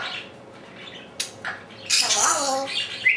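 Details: Pet African Grey parrot left alone in a room, talking to itself: after a quiet start, a sharp click-like squawk, a short mid-pitched chirp, then a long harsh, noisy squawk ending in a brief high whistle.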